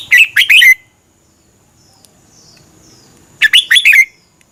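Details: Song of a Red-whiskered bulbul from Thailand, meant for caged birds to hear and copy: a quick burst of three or four bright, downward-slurred whistles, a pause of over two seconds, then a similar phrase.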